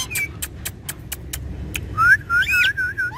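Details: A pet talking parrot gives a series of evenly spaced dry clicks, then loud, clear whistles that rise and wobble.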